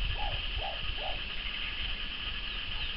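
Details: A courting pair of moustached turcas: three low, rounded, slightly falling notes about half a second apart, with low rumbling background noise and a steady high buzz.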